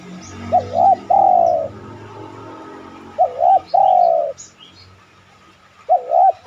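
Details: Spotted dove cooing in a lure recording meant to get other doves to coo and answer: three phrases, each a quick wavering two-part note then a long, slightly falling coo, with faint high chirps behind.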